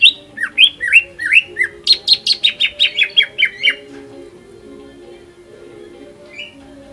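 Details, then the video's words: Used to set off other birds singing, this greater green leafbird song opens with looping whistles, then a rapid run of about ten sharp, descending repeated notes, followed by near silence and faint hum. "PANCINGAN CUCAK IJO FULL MATERI HYPER"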